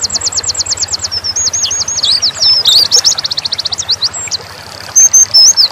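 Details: Oriental white-eye, dakun type, singing nembak: quick looping trill notes give way to buzzy runs, a sustained thin whistle, then a few sharp chirps; faint low hum behind.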